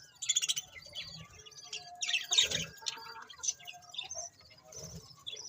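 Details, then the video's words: Several budgerigars chirping, with scattered high, thin chirps and short squeaky bursts, loudest around the middle, between quieter gaps. "Cute Budgies Chirping Sounds"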